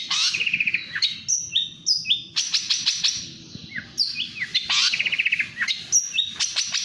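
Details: Long-tailed shrike, national champion, singing fast: buzzy rattling trills alternate with clear high whistles and downward swoops, varied phrases following one another without break.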